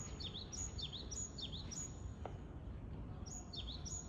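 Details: Japanese tit in Japan giving a bright, thin repeated phrase of swooping high notes, a run of four at the start, a pause with a faint click, then the series resumes, all over steady low-pitched environmental noise.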